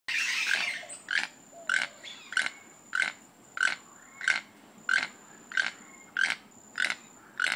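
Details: Toucan giving a mating song: a steady series of short, hoarse, froglike croaks, roughly one every 0.6 seconds, each a broad burst, with a faint steady high tone in the background.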